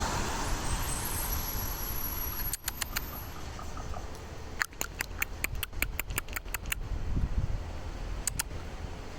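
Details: A common raven in San Francisco gives strange, dry, wooden knocks in quick bursts of five to ten clicks, with a steady rumble of road traffic underneath.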